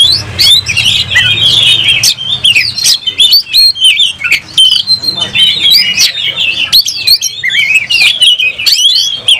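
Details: Oriental magpie-robin in aggressive, tail-spread display, singing bursts of bright slurred whistles and quick chirps with short pauses, accompanied by clicking sounds and a low hum.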